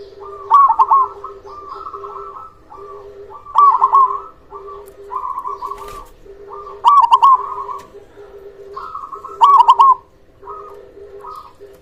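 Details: Zebra dove of the local type, big-voiced, singing to coax silent doves: rapid runs of trilled, hiccuping coos and drawn-out notes, loud bursts roughly every three seconds, with a constant low drone beneath.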